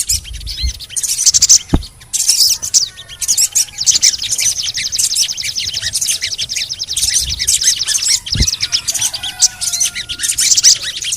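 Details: High, rapid trilled ticking and scratchy chirps come from a sogon lure for encouraging other sogon birds to call. Soft whistled notes from other birds and two short low knocks are heard behind it.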